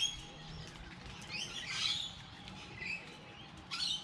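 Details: Bird chirping outdoors on a light rainy day, a few scattered high tweets building to a brief twittering burst midway, then a last quick chirp near the end over soft background hiss.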